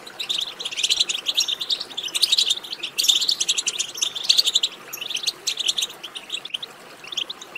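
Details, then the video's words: Rapid jingling chatter of European goldfinch, used to prompt a goldfinch into song: lively bursts of high notes over the first five seconds, then fading to quieter chirps. "بتبتة ماهرة في تحفيز الحسون على التغريد"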